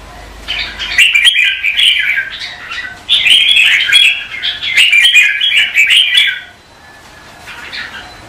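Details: Red-whiskered bulbuls in morning singing contest practice: long, tumbling runs of bright warbled notes, loud and continuous for several seconds, then fading to softer notes at the end.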